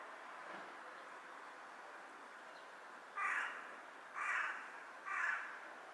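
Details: Carrion crow perched on a power line, bowing as it calls, recorded 18 July 2023 in the afternoon: three harsh, hoarse caws spaced about one second apart after a quiet start, over a steady hiss of background noise.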